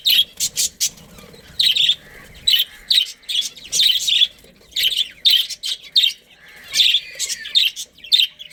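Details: Budgerigars in a breeding family colony give lively, rapid chirping chatter in short, dense bursts that continue steadily throughout.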